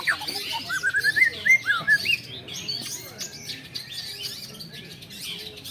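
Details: Contest-trained long-tailed shrike in a group practice session: a quick series of rising, slurred whistled notes in the first two seconds, then softer mixed chirping from surrounding birds.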